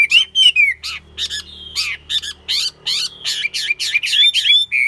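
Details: Chinese hwamei kept caged, said to sing tirelessly and fight well, alternates sharp broadband clicks with bright slurred whistles, the bursts coming about four per second, plus one long steady whistle in the middle.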